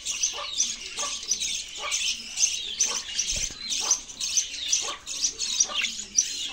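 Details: Singing budgies give a steady stream of high, scratchy chirping and twittering, punctuated by short bright squeaks recurring about every half second, with one soft low thump midway.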